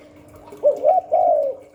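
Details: A single cooing phrase of a spotted dove (cu gáy) in the 'Hạp Bổi 38' style: a brief hooked note followed by a smooth, sustained, slightly falling coo, over a low steady hum.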